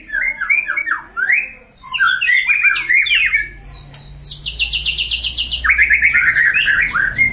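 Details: Caged white-rumped shama kept as a pet, provoked by rival-showing to raise its aggression and train its fighting spirit; loud varied whistled phrases with slurred rising notes, then a rapid high rattling trill and a fast buzzy run of repeated notes.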